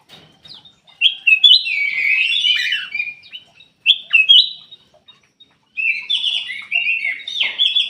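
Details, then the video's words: Golden-fronted leafbird singing: bright, sweet warbled phrases with quick slurred notes and short twittering runs, in two bursts separated by a brief pause; clean recording with no other sounds. "KUTILANG EMAS \ CUCAK EMAS SUARA ASLI SUARA JERNIH"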